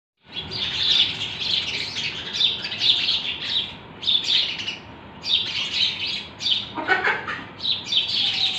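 House sparrows chirping almost nonstop, a busy overlapping chatter of short bright cheeps with brief pauses, as from several birds together.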